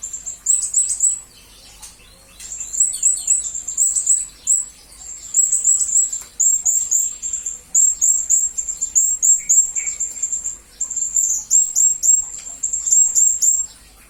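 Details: Shrill, very high chirps of a blue-crowned hanging parrot (serindit), meant for tutoring murai and kacer birds, come in near-continuous runs of rapid rising notes broken by brief pauses over fourteen seconds.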